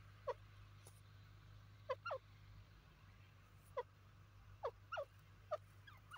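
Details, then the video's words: Francolin (called partridge or teetar) giving short, sharp notes that slide downward, singly or in quick pairs at irregular intervals, over a steady low hum. "partridge teeter sound"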